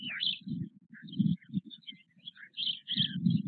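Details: Four white stork chicks, almost the same size, with their father in the nest at Nové Mlýny, Czech Republic, 8 May 2024: clustered low grating bursts with a quieter gap midway, plus scattered high chirps and short whistled notes.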